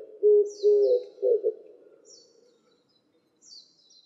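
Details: Oriental turtle dove song recorded 12 August 2016 in Nikko, Tochigi, Japan: low, hoarse coos, two drawn-out notes then a quicker pair, each phrase about one and a half seconds, with faint high chirps from another bird.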